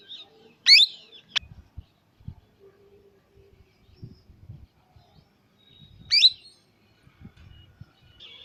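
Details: Indian baby parrot giving two loud harsh rising screeches about five seconds apart, with a thin high whistle between them and faint soft clicks and rustling below.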